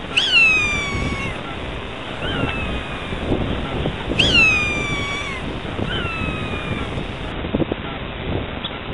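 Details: Galapagos hawk raising chicks on the Galapagos Islands: harsh, drawn-out descending screams with rich harmonics, repeated about every two seconds, alternating louder and softer, over steady background noise.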